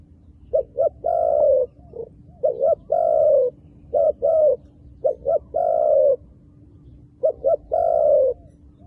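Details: Repeated cooing from a wild dove in Cambodia with dark-marked feathers: two quick low hoots then a long sustained coo, the phrase recurring roughly every one and a half seconds against a faint constant hum.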